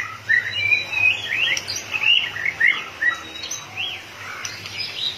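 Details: Excited white-rumped shama, flicking its tail rapidly, sings fast varied whistled phrases, rising and falling notes in quick succession, over a steady low hum.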